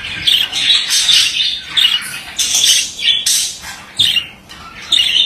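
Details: A male budgerigar warbles in uneven bursts of squeaky, grating chatter and bright chirps, with abrupt sharp notes between phrases.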